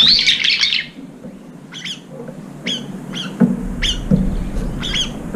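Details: At a nearly empty feeding bowl, brown-eared bulbuls chase off approaching rivals between mouthfuls; a harsh squealing burst opens, followed by short sharp chirps repeated roughly every half second over a low hum.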